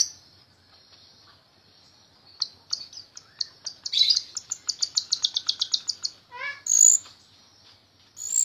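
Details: Jalak rio-rio myna in full song as a tutor recording for other songbirds: a quiet start, then a rapid accelerating series of sharp clicking notes, a short descending chatter and a high shrill note.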